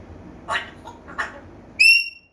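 An African grey parrot gives two short, hoarse squawks about a second apart, then a clear, pure whistle lasting a fraction of a second.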